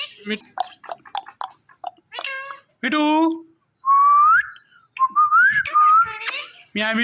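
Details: Talking Indian ringneck parrot repeating "Mithu": rapid clipped speech-like syllables, then drawn-out rising whistled notes and a burst of harsh chatter at the close.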